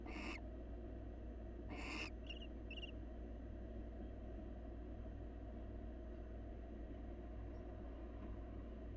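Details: At a nest box, a wild male barn owl grooms its mate and brings it a meal. Two rasping broadband screeches two seconds apart, then two brief thin chirps, with a constant low background hum.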